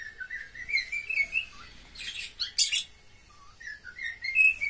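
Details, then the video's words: Pet cockatiels in a mating call session: soft warbled chirps sliding around a mid pitch, broken by a few loud harsh bursts in the middle, with quiet gaps between phrases. "Cocktail birds meeting call sound."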